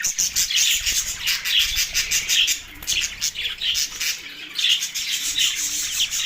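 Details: Budgerigars in Larkana, Sindh, on March 9, 2024, in a mating frenzy: busy high-pitched twittering and warbled chirps run almost without break, with soft low knocks early on.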